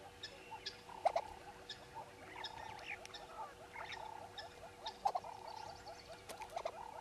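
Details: Dawn chorus of red-billed hornbills at Djuma, 05:34 on 10/02/19: a continuous series of hollow clucks repeated several times a second, with louder sharp accents and thin chirping birds overhead.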